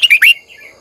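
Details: Red-whiskered bulbul giving a morning lure song in the long double-twisting style to call wild birds: three rapid, loud slurred whistles in under half a second, fading out.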